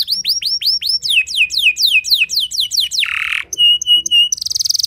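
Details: Canary lure song for prompting other canaries to sing long: a chain of high, falling whistled sweeps, a short harsh rasp, a few steady flat tones and a closing buzzy trill.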